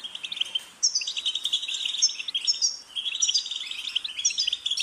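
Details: European goldfinch singing a continuous, rapid twittering song of tinkling, buzzy notes, interrupted by a brief pause near one second, then resuming in bright chattering phrases.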